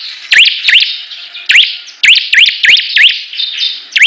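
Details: Rival bar-winged prinias singing vigorously: shrill continuous twitter broken by loud, sharply rising chirps in uneven bursts, some paired closely, with a thin level whistle between them.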